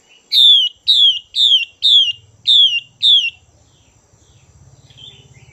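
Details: Female Chinese hwamei, a bird said to rouse males and suited to fight training, repeats six clear downward-slurring notes roughly every half second, with a low buzzing hum underneath and a soft far-off call.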